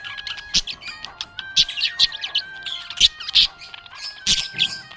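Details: Happy pet budgerigar chirping: rapid scratchy warbles and bright chirps at high pitch, bursting about once a second, over steady sustained background tones.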